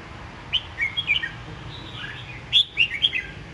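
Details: Caged red-whiskered bulbul, kept about ten months and already taken to café singing meets, sings two short bursts of bright, rapid whistled notes about two seconds apart over a steady low hum.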